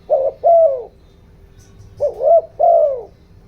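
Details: Spotted dove used as a lure, giọng đồng voice style, urging wild doves: two mellow low-pitched phrases, each a short wavering note leading into a sustained, gently falling coo.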